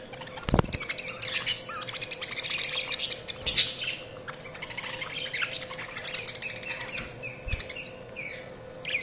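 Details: Budgies chirping and chattering continuously: scratchy squawks, short whistled notes and buzzy trills, with a couple of low knocks and a steady background hum.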